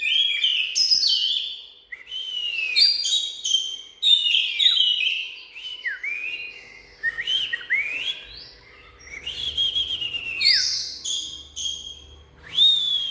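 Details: Oriental magpie-robin singing a rich, varied run of clear whistled phrases with slurred rising and falling notes, interspersed with sharp high chirps and short trills, delivered in bursts with brief pauses between them; no other sounds stand out.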